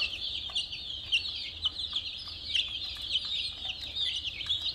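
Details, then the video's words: Young chickens, brightly colored chicks near a mini car, chirp in a busy overlapping chorus. Piercing downslurred peeps spike out every half second or so above the constant high twitter. "Murgi Chicks Chirping Sounds"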